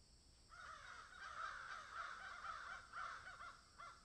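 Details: Garden crows among magpies calling in an overlapping, busy burst of raspy caws that come quickly and irregularly for about three seconds, suggesting several birds, with a steady hum beneath.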